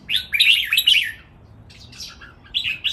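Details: Red-whiskered bulbuls, three caged birds, in lively training master song: a loud run of fast, bubbling, whistled notes, a short pause, then softer quick chirped phrases.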